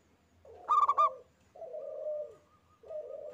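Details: Local zebra dove, a single singing bird. One burst of rapid, pulsed coos is followed by two long, lower, smooth cooing tones with a faint higher beaded note above them.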